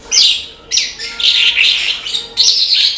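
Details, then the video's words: Branjangan, the Australasian bush lark, in energetic song: three loud bursts of rich, rasping, warbled high notes, each tumbling quickly and briefly separated by gaps. "BRANJANGAN GACOR TIADA LAWAN"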